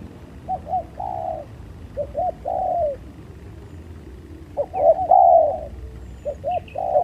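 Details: Spotted doves fighting; two quick low coos then a longer falling coo, repeated with pauses, the last phrase louder, a few faint chirps above.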